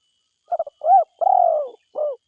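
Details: Spotted dove, a vigorous forest-type caller, giving a complete low phrase: a stuttered double pip, a rising-falling coo, a long throaty trill-like coo and a softer final note. A faint high tone hums beneath.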